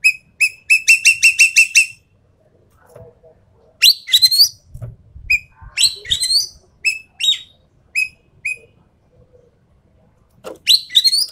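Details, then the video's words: Rapid run of about nine identical piercing whistles from a Javan pied starling, a pause, then harsh buzzy phrases mixed with single upslurred whistles. "BURUNG EKEK KELING SUARA FULL TEMBAKAN"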